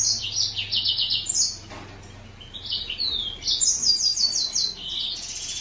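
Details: A green singer finch delivers a lively, high twittering song throughout. Its fast trilled phrases alternate with sweet, slurred and buzzy notes, broken by a brief pause near the middle. Faint low hum in the background.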